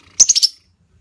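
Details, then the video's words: Female lovebird calling to prompt another lovebird to sing: a quick burst of four shrill, high chirps within half a second, then silence. "lovebird betina cocok untuk memancing kicauan burung lovebird anda"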